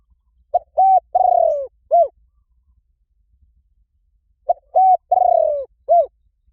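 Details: Spotted dove call used to lure doves: a low cooing phrase of a short note, a steady coo, a long burry descending coo and a final short coo, repeated twice about four seconds apart in quiet surroundings.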